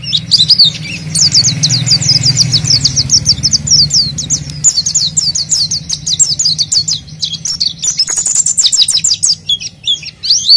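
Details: Oriental white-eye, used as a lure, pouring out a long, rapid series of high chirps and twittering notes, with a low rumbling hum in the background.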